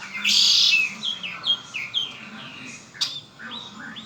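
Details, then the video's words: A red-winged blackbird kept as a pet gives a loud buzzing trill, then a run of quick downslurred whistles and a sharp click, ending in soft rising notes. "Hermoso y exótico canto del Mirlo ala roja ó Red winged black bird."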